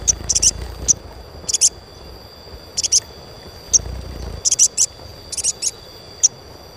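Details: Asian pied starling chirps intended to stimulate young birds to sing often: clusters of two to four sharp, high chirps separated by pauses of about a second, over a steady faint high tone and light low background rumble.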